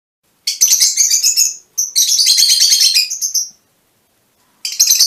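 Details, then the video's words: Mutation Fischer's lovebirds giving two long bursts of shrill, rapid buzzy chattering, each over a second long, with a brief high note between them and another chattering burst starting near the end. "mutación del agapornis - mutation fisher lovebirds"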